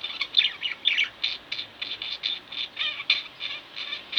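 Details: Nonstop warbling from two pet budgerigars at home, a busy stream of high, scratchy chirps and little twittered notes with no pauses.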